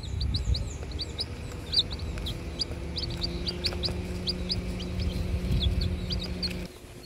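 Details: Six four-day-old bantam chicks on grass peeping constantly, a stream of short, high, thin notes from several birds at once.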